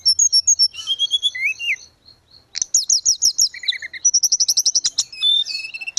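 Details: Singing grey-cheeked bulbul, from tutor audio meant to restart silent cage birds: whistled phrases and low swoops, a brief pause, then rapid buzzy chattering runs and a long even high trill, all bright and loud.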